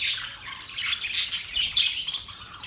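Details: Budgerigars chirping in a busy, overlapping chatter of bright squawks and short twittering notes, with a few sharper high chirps standing out partway through.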